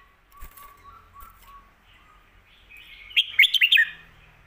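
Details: Caged red-whiskered bulbul song in the styles called 'stir-fried noodles' and 'bottle shaking', kept for teaching birds at home: a quick burst of about six sharp, warbled notes after a quiet stretch with faint fluting in the background.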